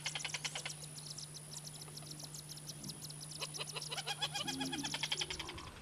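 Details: Wattled jacana in Brazil giving rapid runs of harsh, buzzy pulses, one burst at the start and a longer chattering series from midway, over constant background hiss and a low hum.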